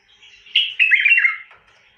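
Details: Bulbul song phrase: a soft lead-in, then a loud, rich, gurgling warble of quick slurred notes that slides downward and fades over about one second.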